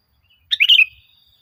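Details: Brief lure phrase from a sooty-headed bulbul, meant to train caged birds to sing: a quick, liquid, bubbling whistle of a few run-together notes, clean background.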